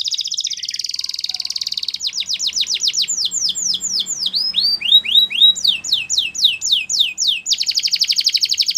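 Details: A canary, labelled Russian canary and also Belgian canary, sings a fast, varied song: buzzy trills, then repeated sweeping whistled notes rising and falling, ending in a rapid rattling trill.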